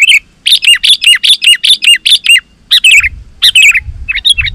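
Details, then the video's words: Sooty-headed bulbul in lively, persistent song used to call wild bulbuls: a fast series of short, bright whistled notes, each with a dipping, bubbly inflection, about eight in a run, then a brief pause and more warbled phrases. "Suara Burung KUTILANG GACOR 100% Ampuh Untuk Suara Panggilan Kutilang Lain auto Emosi dan Gacor"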